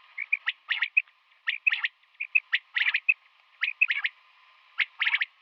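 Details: Female common quail (batair) calling in the morning: bright, clipped notes given in quick bursts of two to four, with short pauses between groups, over a faint steady low hum.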